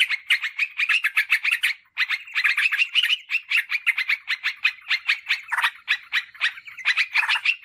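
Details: Yellow-vented bulbul (Pycnonotus goiavier) giving a fast, continuous run of bright, bubbling chatter notes, several per second, at a steady mid-high pitch with no pauses; a lure recording for calling wild birds.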